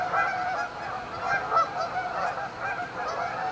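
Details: Many Canada geese honking together at a lakeside staging area in Winnipeg's Amber Trails Lake, a throbbing, nasal chorus with loud pulses every second or so.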